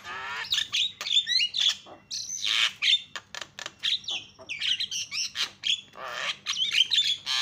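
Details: Lure of a Javan myna for making other birds call: sustained, rapid, uneven series of harsh squawks, buzzy notes and brief whistles, nearly continuous with only short breaks.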